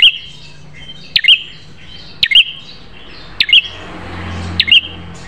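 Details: Sparse prinia song for tutoring caged birds: single sharp notes roughly every second, each a crack followed by a short high whistle, over a faint, continuous hiss and low rumble toward the end.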